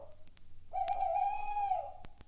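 An owl gives a single drawn-out hoot, a steady, low and slightly wavering note about a second long, over faint clicks and background hiss.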